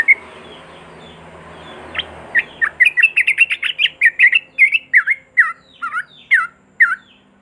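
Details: Sooty-headed bulbul in rapid 'ropel' style song used to coax silent birds into singing: after a low hum, a fast tumbling run of chirpy notes starts, then slows into separate bubbly downslurred phrases.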